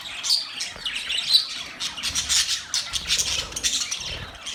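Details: Mating sounds of budgerigars chirping together, a lively jumble of high scratchy warbles and short squeaky notes pulsing about once a second.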